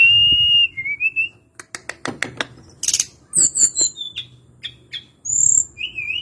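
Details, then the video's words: Sweet whistled phrase from a tledekan gunung (hill blue flycatcher), followed by a burst of dry ticks and scattered high notes, closing with a brief warble. "Kicauan harian Tledekan gunung"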